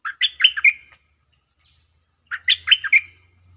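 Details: Lure song of a stripe-throated bulbul, given as two matching phrases about two seconds apart. Each phrase is a quick run of five or six warbled, chirpy notes ending in a longer slurred tone. A faint low hum is heard.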